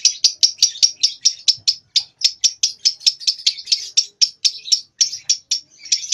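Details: Young lovebird, barely two months old, learning its trilling song; a steady train of sharp chirping pulses, about five per second, running without a break for six seconds.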